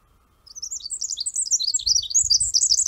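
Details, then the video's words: Pacific Wren song, once thought the same species as the Winter Wren until song differences helped set them apart; a very high, fast stream of tinkling trills and twittered notes running on continuously, with faint low rumble beneath. "here is our pacific wren song and"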